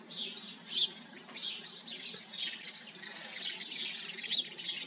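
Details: Colony of house sparrows, overlapping chirps and a few louder, squawky notes standing out above a softer background chatter.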